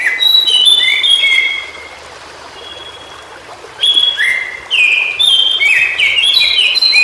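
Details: Song of a white-browed shortwing (cingcoang biru) in natural habitat: bursts of thin, high whistles sliding down in pitch, a quiet gap of about two seconds, then a faster run of overlapping, descending whistled phrases.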